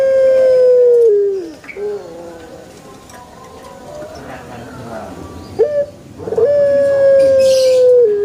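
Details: Pelung chicken crowing with a long, level, ringing note that drops off at the end. Quiet low murmuring fills the gap before another sustained crow starts with a rough attack and holds steady.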